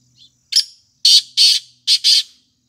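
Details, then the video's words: Harsh black francolin call. A faint soft note is followed by a sharp grating note, then two closely paired rasping notes, a short gap, and another harsh pair. The sound is loud, close, and otherwise silent. "kala titar voice"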